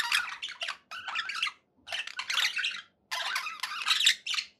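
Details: Budgerigars kept as pets, said to be happy, give three bursts of buzzy, scratchy chatter separated by short silences, each burst packed with quick squeaky notes.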